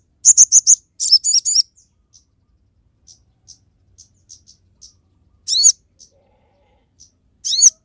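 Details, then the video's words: Song of a crested jay (sogon) meant for training and luring other birds: bursts of high chirps and buzzy doubled notes, then soft spaced ticks, with two louder arched notes near the end. "SOGOK ONTONG GACOR FULL TEMBAKAN TAJAM COCOK UNTUK MASTERAN DAN PANCINGAN"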